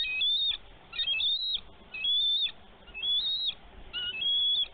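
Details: Bald eagle mother at her Minnesota nest on a snowy March day, wings spread against a diving young eagle; repeated bursts of high, thin chittering whistles, about one phrase per second, steady and insistent.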